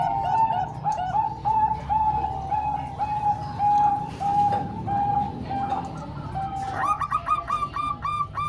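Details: Zebra doves, three Bangkok-type birds and one local bird combined to train young birds: overlapping series of short mellow cooing notes, rapid bubbling phrases layered over a steady hum, with a fast burst of higher coos near the end.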